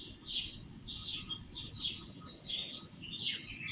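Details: Pre-dawn birdsong at night, recorded through an IP surveillance camera and amplified three times; bright chirped phrases spaced roughly every three-quarters of a second, a faint steady hum and background hiss beneath.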